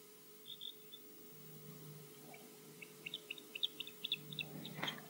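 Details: Osprey at Loch Garten, Scotland, defending its nest during flyovers and a slight dive bomb, picked up by a live nest camera: thin whistled chirps, first a short pair, then a quick series, over a steady electrical hum.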